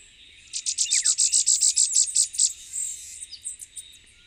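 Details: Puerto Rico's endemic Elfin-woods warbler gives a fast, high-pitched trill of about thirteen clipped notes over two seconds, loud and evenly spaced. A softer run of similar notes trails off, against constant insect buzzing and a faint chirp.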